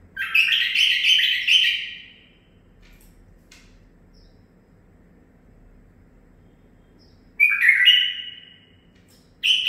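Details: Captive-raised nine-month-old male bulbul delivering a longer trilled, chattering warble, then a pause of several seconds before another bright whistled phrase begins.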